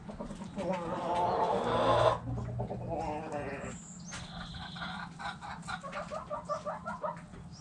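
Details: Backyard hens calling: a drawn-out nasal squawk, then scattered clucks and a run of quick soft clucking notes, with a faint high whistle from another bird.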